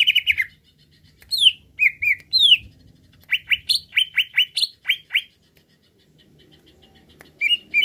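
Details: Agitated greater green leafbird stirred to sing, giving a falling whistle, clipped paired notes and an arching slur, then a fast string of bright chirps, before going quiet and adding two closing notes.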